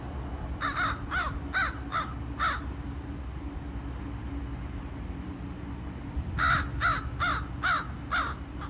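A crow gives two bursts of about five hard, knocking clicks, roughly two or three per second, over a steady low rumble.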